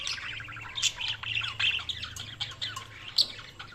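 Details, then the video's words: Budgerigar chatter of rapid high chirps and clicks, continuous warbling with louder sharp notes, over a low steady hum. "Budgies Sounds| Budgies Chirping sound"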